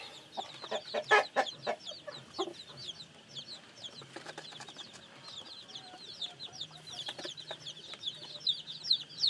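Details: Newly hatched chicks giving many faint, high, falling peeps that overlap in a steady chorus, with scattered sharp clicks and taps in the foreground.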